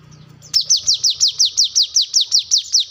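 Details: Brown-throated sunbird used for luring or for tutoring cage birds: a rapid rhythmic string of high downslurred notes, each falling quickly in pitch, about five per second, over a faint low hum.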